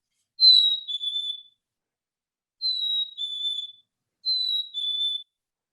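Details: A black-capped chickadee, a feeder visitor, whistles a clear, high two-note phrase, likened to 'cheeseburger' or a squeaky swing, the second note slightly lower, three times about every two seconds; nothing else is heard.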